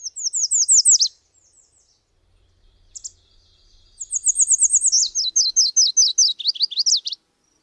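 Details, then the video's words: Subalpine warbler delivering a high, rattling phrase, a pause with a lone note, then a longer scratchy run of rapid chips speeding up toward the end. "Canto da AveToutinegra carrasqueira (Sylvia cantillans)"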